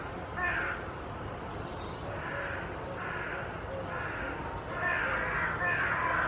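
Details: Group of carrion crows at Children's Wood, Hull, posturing and tail fanning during a gathering with no aggression; rough, hoarse caws repeated roughly every second, some overlapping, with a steady background hum.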